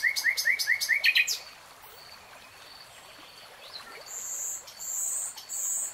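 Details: Common nightingale singing: a fast run of rising chirps repeated about six times, then a pause with thin drawn-out whistles and high buzzy notes, over a constant rushing background.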